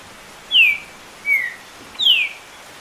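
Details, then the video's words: Green-winged saltator known as trinca-ferro, urged on by rain sounds in the background, singing over ten songs per minute for tournament preparation; three loud downward-sliding whistles spaced about three-quarters of a second apart over faint hiss. "Começou a CHOVER e TRINCA FERRO passou MAIS de 10 CANTOS por MINUTO!"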